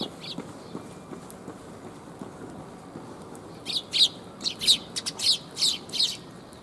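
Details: Sparrows coming for food, recorded 5 December 2021 on the outward walk: quiet at first, then a run of about eight bright, loud chirps in quick succession during the second half.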